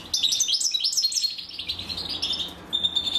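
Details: Goldfinch chicks begging as the female feeds them: a quick run of high, tinkling, slightly falling twitters, a short lull, then a thin sustained whistle-like note near the end.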